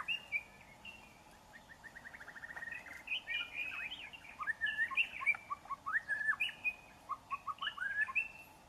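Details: Wild young white-rumped shama singing in forest: a rapid stuttering trill, then a long run of rich, varied whistles and slurred notes that grows louder and more intricate.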